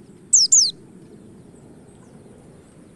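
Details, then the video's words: White-eye call used as a lure to make other white-eyes sing: two quick, very high, thin notes that slide downward, then the start of a third, over a steady low rumble. "pancingan pleci 💯 % cepat ngalas"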